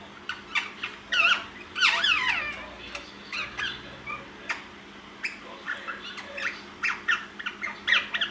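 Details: Pet ringneck parakeets indoors at nap time, chatting to each other rather than sleeping: rapid bursts of squawky, squeaky chatter with sharp upward and downward sweeps in quick irregular succession.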